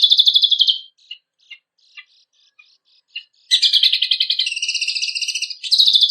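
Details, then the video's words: Training song of a kecial kombok kept for songbird contests: a high rapid chatter, then scattered soft ticks and pauses, then a sustained loud trilling warble with fast pulsed notes. "KECIAL KOMBOK GACOR FULL MATERI ISIAN MEWAH KOMPILASI SUARA BURUNG LOMBA"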